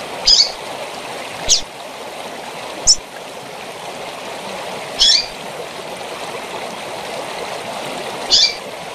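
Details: A female Double-collared seedeater (coleiro) gives short, high chirps at irregular intervals, about five in nine seconds, over a steady rush of falling water. The recording of her calling with waterfall sound is meant to stimulate male coleiros.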